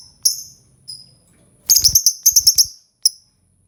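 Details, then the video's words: Lovebird calling to prompt other birds to answer; shrill high chirps, two isolated notes, then a rapid burst of about eight sharp chirps followed by one last note. "Suara Lovebird pasti burung langsung ikut Nyaut"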